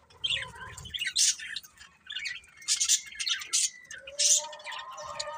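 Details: A breeding pair of budgerigars chattering in bursts of rasping, scratchy chirps with a few tonal harmonic notes between them.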